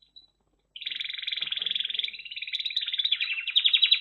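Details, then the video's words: After a brief silence, a red factor canary starts a sustained rolling trill of rapidly repeated notes that gradually grows louder and brighter toward the end. "Red Factor Canary Finch Singing Exhibition"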